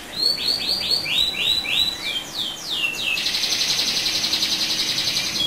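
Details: ['Chatty canary song used to provoke other canaries. It opens with about ten quick, descending swept whistles and then runs into a long, fast rolling trill.']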